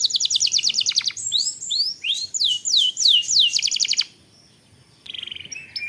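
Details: Long-rolling canary lure song meant to provoke singing: a rapid even trill of about a second, then looping upslurred whistles, another fast trill, a brief pause and a lower buzzy phrase.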